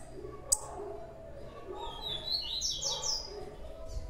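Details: Young blue-black grassquit giving a short burst of high, thin, buzzy sweeping notes near the middle, after a sharp click near the start, over a low background hum.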